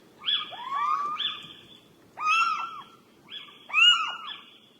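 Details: Little owl calling at night: three loud, tonal calls a little over a second apart, each with a sharp rise and fall sliding into a long held note, over soft low background noise.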